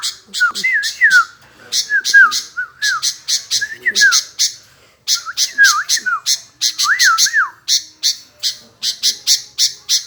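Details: Sooty-headed bulbul, known locally as kutilang, singing actively: short liquid whistled phrases that rise and fall, given in bursts. Sharp dry clicking ticks repeat rapidly throughout.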